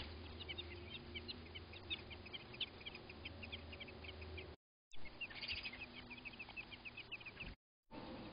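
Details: American robin pair at their nest as a crow attacks it: rapid series of short, high, sharp notes repeated many times per second, pausing briefly, with a low steady hum underneath.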